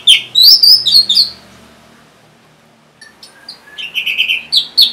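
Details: Orange-headed thrush song meant to encourage caged birds that refuse to sing: a burst of high rapid notes, a quiet pause, then a quickly repeated series of whistled notes.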